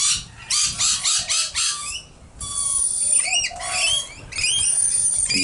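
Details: Baby rainbow lorikeets at a backyard bird-feeding spot in Nerang, Australia, on the morning of 13 September 2019 give harsh, rasping begging screeches in quick bursts, several per second, then shrill chattering and thin whistles, heard in the background.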